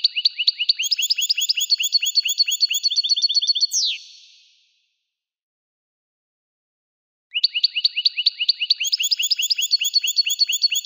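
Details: European goldfinch (Carduelis carduelis) singing in a forest: a fast, high, tinkling twitter of rapid liquid notes ending in a sharp downslur, then silence before it starts again.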